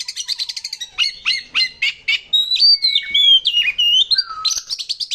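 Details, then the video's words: Oriental magpie-robin lure song: a quick chatter of clipped notes, then harsh repeated chips about every half second, followed by fluty sliding whistles and a low falling whistle. "pancingan suara burung kacer gacor isian mewah"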